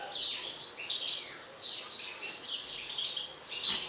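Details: Agitated mutant European goldfinch singing loudly and rapidly, dense chattering twitters packed closely together with brief high whistles, nearly unbroken throughout.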